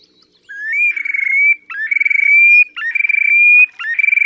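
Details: Terek sandpiper display song, Oka Nature Reserve, Russia, 30 April 2019: loud, evenly spaced phrases that begin with a rising note, break into rapid pulsing, and end in a steady, slightly climbing whistle, repeated about once a second.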